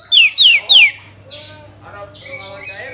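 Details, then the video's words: Orange-headed thrush lure song: three loud, clear whistles each sweeping downward in quick succession, followed by softer jumbled notes and a burst of high scratchy twittering, with a constant low hum. "Pancingan ANIS MERAH agar cepat Berkicau Gacor"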